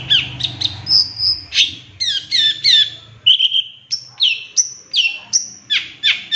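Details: Long-tailed shrike training lure, 'tembakan' filling style: a rich medley of sliding whistles, short held tones and quick squeaky notes. A low hum sits under the song.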